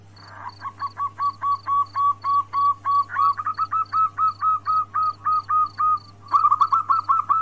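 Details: Female zebra dove, a local Indonesian perkutut, calling the male, used as a lure to bring males into breeding condition; rapid run of short, soft cooing notes about four per second, steady high pips and a low hum behind.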